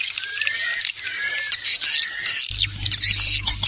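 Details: Swiftlet calling sound with wing flapping, played to attract swiftlets: busy high-pitched chirping and twittering, with a faint low hum entering for the last second.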